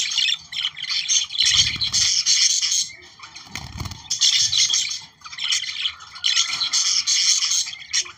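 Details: Budgerigar song played to stimulate breeding: dense, chattering warble of buzzy and whistled notes in bursts of one to three seconds separated by short pauses, with low thumps near two and four seconds.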